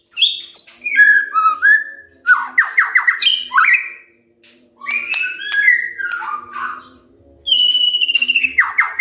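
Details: White-rumped shama in morning song used to set off other birds: descending whistled notes, a run of sharp upslurred notes, warbled level phrases, then a rapid fluttering series at the close, with a low steady hum.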